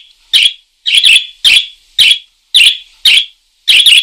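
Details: Steady parakeet chatter: raspy, buzzy chirps roughly every half second, some doubled, in a clean quiet setting.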